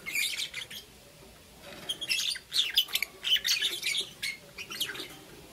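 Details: Green opaline lovebirds, a pair, chirping in the morning: a nearly continuous run of harsh, buzzy, high chirps and short squeaks, densest in the middle, rising and falling in loudness.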